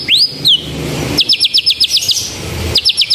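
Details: White-rumped shama singing a lively canary-style song: upswept whistles, then a fast series of sharp, repeated down-slurred notes at about four per second, pausing briefly before starting another burst.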